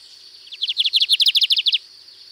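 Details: Lined seedeater in song at Sítio Paraitinga, Cunha, Brazil, singing a distinctive variant: a rapid train of about fourteen bright, slurred high notes over roughly a second, with a steady high insect-like hum behind.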